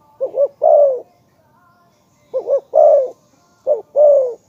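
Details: Spotted dove giving a lure call said to attract other doves every time: three soft cooing phrases, each a quick two-part note then a drawn-out descending coo, spaced by pauses of about a second, no other sounds.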